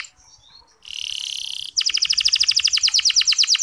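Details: Local canary song used as a lure to get less eager male canaries singing: a faint start, then a loud buzzy held note, then a fast, even trill of high rising notes.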